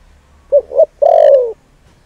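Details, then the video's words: Decoy spotted dove cooing to provoke wild males: two short soft coos followed by one long, pulsing, gradually descending coo, low and mellow. "Cu Gáy Mồi Thúc || Gáy Gọi Kích Bổi Mới Nhất"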